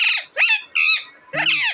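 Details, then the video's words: Cute native pet parrot recorded April 28, 2024, described as talking: three loud harsh, squawky, harmonic-rich bursts, each under half a second, separated by short silences, rising and falling in a speech-like way. "Deshi Cute Parrot Talking Natural Sounds"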